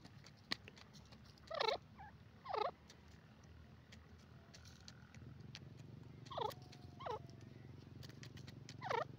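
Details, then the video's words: Grey francolin (teetar) calling: a series of short, harsh, wavering notes, some paired and some single, spaced irregularly over several seconds above a steady low background rumble. "grey francolin call pheasant birds awaaz"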